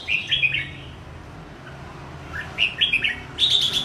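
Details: Aggressive kept red-whiskered bulbul, moving across its perch and spreading its wings; opening warbles, a quiet pause, then renewed bursts of short clear notes ending in a high sharp phrase, with a low hum behind.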